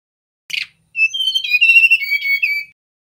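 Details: A brief rough note from a male mangrove blue flycatcher, then a pause and a flowing run of pure whistles that step up, waver and slide down, lasting under two seconds.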